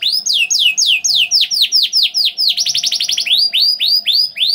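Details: Canary song played to prompt other canaries to sing: loud, high sweeping notes, first a run of falling whistles, then a fast rattling trill, then rising swept notes repeated about four per second.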